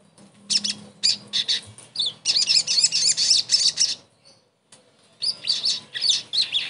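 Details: Sogon song serving as therapy to get a silent bird singing again: fast, continuous high chattering and buzzy notes, a brief silent gap, then more rapid scratchy phrases.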